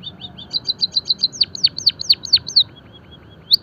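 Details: Java sparrow singing as stimulation and training material: quick soft ticks build into loud repeated chirps and sharp downward sweeps, then fade to faint notes before one final chirp.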